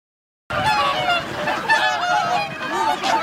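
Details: Wintering swans at Lake Hyoko, Agano City, Niigata, Japan, on 8 January 2022, when 2,628 swans were counted. A dense chorus of overlapping nasal honks and bugling calls starts abruptly after a half-second of silence and continues without pause.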